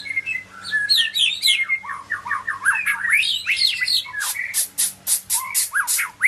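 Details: White-rumped shama of the Medan type singing a rich, fast medley: rapid rising and falling whistled sweeps, then harsh buzzy bursts and sharp chipping notes in quick succession, with a faint low hum beneath.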